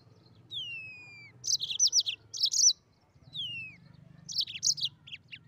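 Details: Mozambique canary singing: each phrase begins with a long, clear descending whistle, then a rapid cluster of high, twittering chirps. The pattern repeats twice, with a soft low hum behind.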